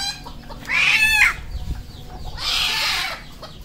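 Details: Red junglefowl crowing at a farm in Cambodia: two loud, hoarse, harmonic crows under a second each, separated by a short pause, over low background clucking.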